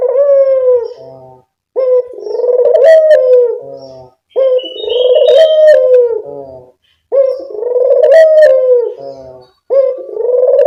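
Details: Barbary dove lure call for attracting birds: a regular series of five deep, drawn-out coos, each roughly two seconds long with a rolling quality and a short buzzy end, spaced by brief gaps.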